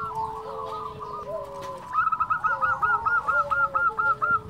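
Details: Local zebra dove, a lively caller used to lure other zebra doves: soft background cooing, then a clear run of about ten quick, evenly spaced bubbling coo notes.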